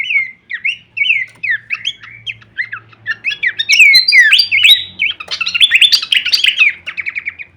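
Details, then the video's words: Masteran training recording of Horsfield's babbler giving varied kleperan song: looping whistled slurs that start spaced out, then crowd into an intense, jumbled chatter of trills and squeaky notes, with a faint low hum. "masteran andalan khas burung pelanduk semak suara full variasi kleperan"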